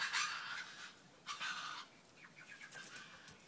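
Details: Pair of one-year-old Lady Amherst's pheasants kept in a rocky, bamboo-planted city aviary in Melbourne, Australia; two loud breathy bursts are followed by a quick run of short, thin chirping notes over light rustling.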